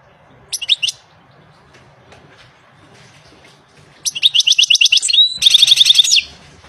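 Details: European goldfinch singing in the wild: a brief burst of high twittering notes, a pause, then a fast run of tinkling, repeated chirps with a short whistled slide, ending in a buzzy trill.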